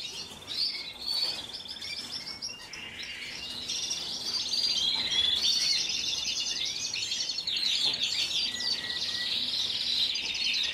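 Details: Song of a Belgian Frill canary: a long, dense, high-pitched warble of fast trills and twittering notes that flows almost without a break and grows louder midway.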